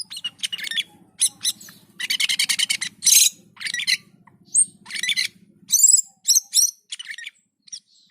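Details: Cucak keling (Black-and-white bulbul) singing in gacor mood: dense rapid harsh trills and scratchy bursts, then sharp high squeaky and whistled notes, a faint low hum fading out midway.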